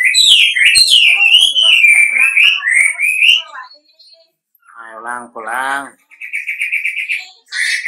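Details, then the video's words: Golden-bellied gerygone call used as a lure so any other gerygone will reply: thin, high whistled phrases wavering up and down for about three seconds, a pause, then harsher layered notes and a short buzzy trill. "pancingan wambi gacor, wambi manapun bakalan nyaut"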